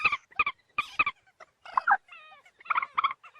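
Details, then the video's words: Moorhen giving emphatic paired harsh clucks, a grating squawk, thin descending whistled slurs, then another set of loud doubled clucks. "ডুংখোর পাখির ডাক। Moorhen birds shound"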